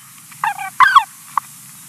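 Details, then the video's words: White-tailed eagle chick in Latvia, recorded in 2020, begging while its mother finishes eating a fish: two short, nasal, honking squeals with a downward slide, then one brief clipped note. "nie widać a słychać 2020.070.18 bieliki"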